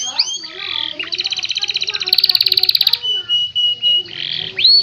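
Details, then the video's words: Canary song used as a master recording: a buzzy rattling trill at high pitch, then steady whistled tones and a rising slur, with a faint low background murmur. "Masteran kenari super mewah. Suara Jernih"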